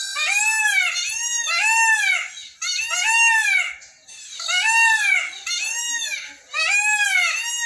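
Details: Blue peafowl raised in Brazil, Belo Jardim, Pernambuco, calling by day or at sunset: a steady run of harsh, arched honking wails, each about a second long, repeated with brief gaps, loud and dominant throughout.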